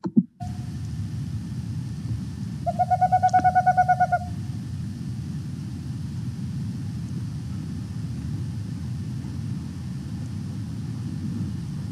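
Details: A male Boreal Owl vocalizing near its nest cavity, likely to attract a female, gives a quick, even trill of about a dozen hollow hoots in under two seconds, over a steady low rumble.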